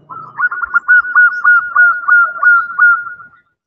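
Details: A hen zebra dove calls for a mate with about a dozen rapid, rhythmic cooing pulses at a steady mid pitch. The notes trail off softly after three seconds into silence.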